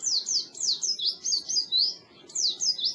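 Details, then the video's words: Oriental white-eye training song for birds that won't sing: a brief sequence of high, sliding whistled notes in rapid succession, a short break, then more. "Suara Burung Pleci Masteran Pleci Full"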